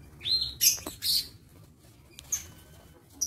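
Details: Aviary lovebirds on 22 August 2023 give a quick cluster of shrill, high chirps and squeaks in the first second, then a few scattered sharp notes over quiet background hiss.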